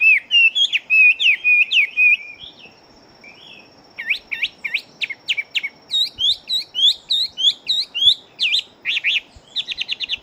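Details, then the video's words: Fighting-type Chinese hwamei, a large-bodied bird, singing very rapidly: bright whistled notes, some slurred and warbling, then quick repeated rising-falling whistles in fast bursts, with a short pause near the middle. "Họa Mi Chiến Siêu Mau Mỏ Bộ To Hót Tốt"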